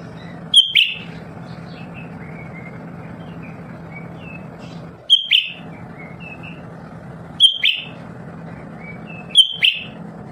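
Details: Lesser green leafbird kept at home, singing constantly to encourage other caged birds. Four loud phrases, each a high whistle plus a dropping harsh burst, roughly every two to three seconds, with soft short notes between and a steady low hum.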